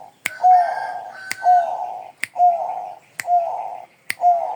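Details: Bangkok-type zebra dove singing in an agitated manner: five rolling, husky coos at an even pace near one per second, each starting with a short whistled slide and preceded by a crisp click.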